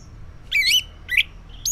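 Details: Orange-headed thrush singing in the morning, a lure meant to draw answers from silent males; two rich, warbled phrases sliding up and down, then a rising high note.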